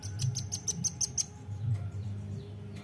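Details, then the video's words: A nuthatch, used as a lure sound, gives a quick run of about seven sharp, high, ticking notes, roughly six per second, over a steady low hum. "PANCING BUNYI RAMBATAN BAHAN"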